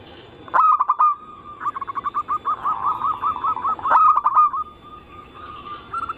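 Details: Cooing of a zebra dove in a lure recording: sharp stuttered notes break into rippling rapid coos, with a second loud stuttering burst and a steady tone afterward.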